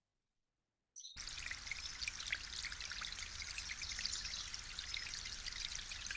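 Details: After about a second of silence, a steady broadband rush of pouring, trickling water begins and continues, with scattered drip-like clicks; no animal voices.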